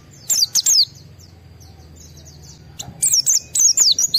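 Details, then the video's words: Excited white-eye with strong emotion, sung to get other white-eyes to respond: a short burst of sharp, high, slurred chirps, then a long quiet gap with faint low hum, then a second run of rapid high twittering notes. "Pleci Mental baja EMOSI Tinggi ampuh mancing semua pleci segera gacor buka paruh"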